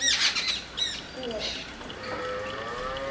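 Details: Jungle babbler calling: harsh, rasping squawks burst out at the start, followed by fainter thin drawn-out tonal notes in the background.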